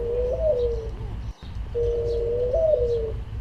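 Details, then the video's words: Pigeon cooing: two drawn-out, low tonal coos, each holding steady and then stepping up briefly before sliding back down, separated by a short gap over a faint low hum. "Suara hewan : Burung dara"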